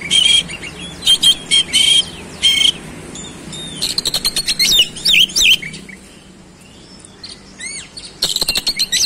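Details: Oriental magpie-robin singing hard in speedy rolling style, showing off its fillers: a series of loud buzzy bursts with a whistle running through them, rapid ticking notes and swooping whistles, a quiet gap, then paired rising whistles and a harsh burst.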